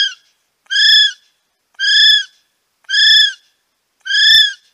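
A kiwi gives a series of shrill, slightly arched whistles, each about half a second long, repeated roughly once a second. There is little background sound.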